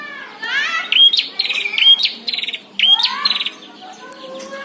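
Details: Caged and wild prinia clash in song: quick upward flicks followed by short buzzy rattles, several phrases in a row, with faint voices in the background.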